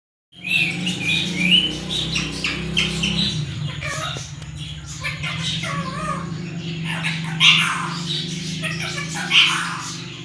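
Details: Pet parrot imitating human speech in Sindhi and Urdu, phrases like "mithu put" and "miyan mithu"; broken, voice-like syllables with sharp high squeaky notes, over a steady low hum in the background.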